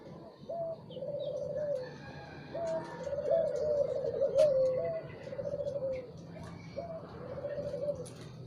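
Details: Morning song of a spotted dove, soft purring coos strung into three phrases, each starting with a short upward note and rolling into a wavering hoot, with faint hum beneath.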